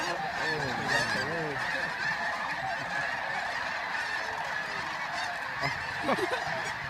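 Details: Huge flock of geese taking flight at dawn at Bosque del Apache, San Antonio, New Mexico, on 10 November 2013: a dense, continuous chorus of overlapping honks with a few louder, distinct nasal calls rising above it.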